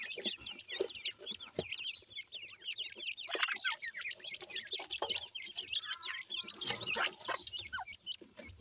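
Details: Feeding partridge chicks, grey francolin, produce rapid overlapping high-pitched peeps and chirps in a steady busy chatter, some notes slightly downslurred, with a few soft lower clucks.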